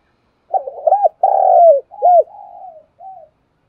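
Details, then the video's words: Spotted dove calling in the morning to lure other doves: a clear, low run of hooting coos, one long, buzzy, sustained note, then falling arched coos that fade to a soft final note, in a quiet setting. "tiếng chim cu đất gáy gọi buổi sáng/ tiếng chim cu đất kêu mồi và gọi bổi"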